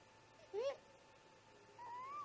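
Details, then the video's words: Great grey owl parent calls at the nest shortly after 04:25: one loud, quick rising whoop, then a slow climbing wail starting a second later, over a persistent faint hum. "Great Gray Owl - Parents Have a Talk"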